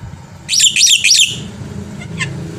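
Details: Brief black-winged myna phrase from a master recording for prompting other birds to sing: a tight cluster of three bright, buzzy down-slurred notes lasting under a second, then quiet faint chips.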